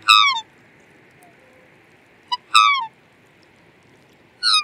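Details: Black swan giving three bugling, downward-sliding calls roughly two seconds apart, each short and rich in overtones, with faint background noise.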